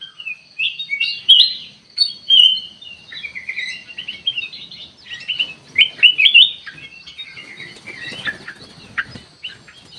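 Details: Lure recording of kutilang emas meant to draw an answering bird: busy overlapping chirps and slurred whistles throughout, loudest early and in the middle, with rustling sounds in the later part.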